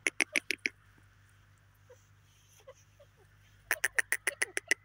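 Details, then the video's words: Two bursts of grating, evenly spaced grey francolin notes, one at the start and one at the end, separated by a quiet stretch with scattered faint chirps. "grey partridge teetar ki awaz grey francolin voice"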